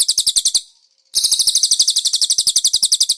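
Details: Konin singing a cage-bird training song in cililin style. A brief run of sharp high notes, a short silence, then a sustained fast, even trill of piercing repeated notes.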